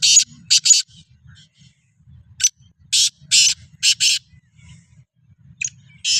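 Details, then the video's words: Kala teetar or black francolin, prepared for chakri alongside other francolins, utters loud rasping notes in short groups of two to three, with gaps between, over a faint low hum. "Kala Teetar ki Chakri ki Tyari 2024 | چکری کی تیاری |Black Frankoline"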